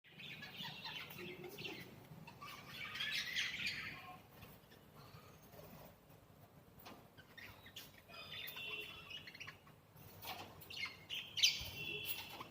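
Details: Budgerigar (Melopsittacus undulatus), chatter.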